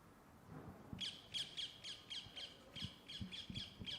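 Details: Rose-ringed (ring-necked) parakeet, a bird of London parks, giving a rapid run of about eleven harsh, shrill screeches, roughly three per second, over low room thumps.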